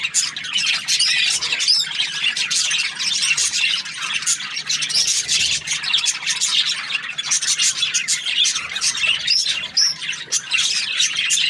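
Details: Happy budgerigars giving a steady stream of high chirps and scratchy warbles, with a few sharper rising squeaks standing out near the start and end.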